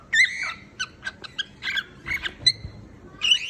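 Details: Short sequence of cockatiel singing: a few ringing whistles and scratchy chirps, one held note near the middle, spaced irregularly.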